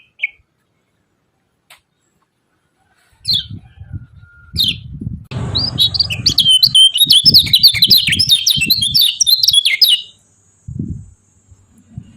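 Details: Yellow-vented bulbul (kecial kuning) in lively 'ciak ciak' chatter used to rouse rival birds: a dense burst of rapid high, sharp chirps and twitters lasting several seconds, over low thumping background beats and faint clicks.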